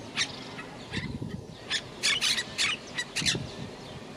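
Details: Quaker parrot or monk parakeet kept in a house, a talking parrot, producing short raspy squawks and chattering bursts in irregular clusters against constant room noise and low rumbling.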